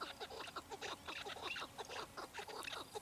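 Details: A chukar partridge's clucking chatter, dense short notes tumbling in an irregular stream with a few louder, ringing syllables among them.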